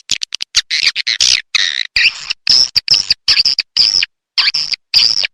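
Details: Swiftlet rainy-season call: quick ticking chirps give way to repeated short, high buzzy bursts in uneven rhythm with clean silent breaks between them.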